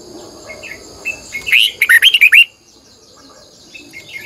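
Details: Red-whiskered bulbul in morning training song, long double-twisting style used to lure wild birds: soft chirps build into a loud phrase of about seven quick looping whistles, over a steady high-pitched hum.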